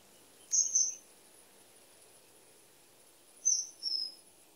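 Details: Common kingfisher song: two paired bursts of high, sharp whistles about three seconds apart, each pair dropping slightly in pitch, with a faint steady hiss behind.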